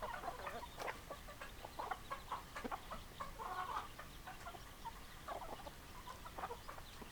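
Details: Several hens clucking together: a busy stream of brief, nasal clucks and a few drawn-out calls, many birds overlapping with no pause, against a low constant murmur.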